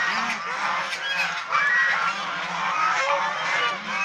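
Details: Chinese swan goose, a domestic flock seen playing, bathing and fighting; loud harsh honks overlap continuously, with a brief louder burst midway through.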